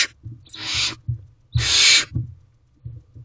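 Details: Two harsh, drawn-out hisses, the second longer and louder, from a barn owl owlet hungry for food from its parents, recorded in a nest box on 4 May 2023, with light scuffling beneath.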